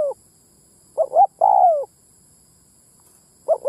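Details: Spotted dove lure call to bring in wild males and females: one full phrase of a doubled short note and a sustained falling coo, a long quiet gap, then the next phrase starting.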